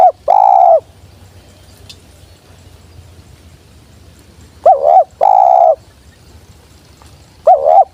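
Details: Tekukur, the spotted dove, giving its lure call: a long steady coo opening, then a wavering double coo and long coo near the middle, and a final wavering coo, separated by quiet pauses.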